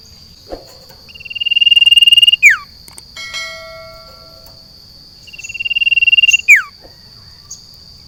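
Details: Caged sirtu set outdoors in a garden sings twice: a fast, even trill of high notes that rises in loudness and ends in a sharp downward slur. A steady high insect-like hum runs throughout.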